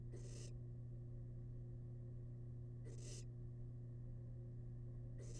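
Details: Barn owl chick, wild, feeding on rabbit remains in a nest box, gives three harsh broadband hisses about two and a half seconds apart against a constant low drone.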